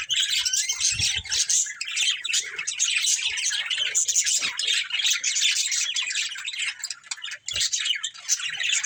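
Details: Budgerigar breeding pair chirping in a continuous busy stream of high scratchy warbles and squeaks, with a few soft low thumps in the background.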